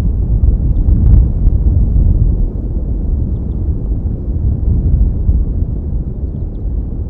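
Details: Loud low wind rumble buffets the microphone throughout, with no clear animal sound.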